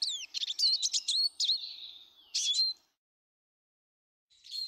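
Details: Eurasian siskins, many in a garden on 19 March: a burst of quick twittering notes and drawn-out, slightly wheezy whistles, ending in silence before a faint whistled note returns at the close.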